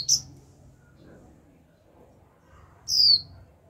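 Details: Young caged female white-eye calling 'chíu' to prompt newly caught birds to sing; a short high note clipped at the start, then a long silence before a second clear, downward-slurred whistle near the end.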